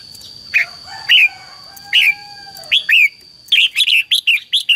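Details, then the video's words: Red-whiskered bulbul decoy song, the fighting style called hót đấu, used to call wild birds and stir up caged bulbuls; loud rising whistled notes, then a quick run of five or six sharp chirps, with a low drawn-out tone behind. "CHÀO MÀO HÓT GỌI BỔI CHÉ CĂNG ĐÉT QUÁ HAY - KÍCH CHIM NHANH CĂNG LỬA"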